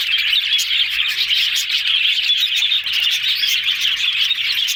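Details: Cheerful talking of several yellow budgerigars: constant busy warbles, bright tweets and short whistled notes overlapping at a steady loudness throughout.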